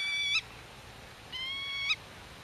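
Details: Godwit (Limosa limosa) at its nest, talking with chicks concealed in grass and guarding territory from intruders; two drawn-out, even-pitched nasal notes, each closing with a sharp rising twist, separated by a second of quiet.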